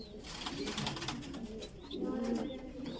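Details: Voorburg Shield Cropper pigeon chick being fed, a fancy breed developed in the Netherlands; soft low grumbling notes in two bursts, the second louder and wavering, with faint high chirps and rustling.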